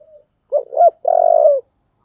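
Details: One full phrase of spotted dove song in the 'giọng thổ' style: a brief soft coo, two short upswept notes, then a long, steady, vibrating low coo lasting over half a second.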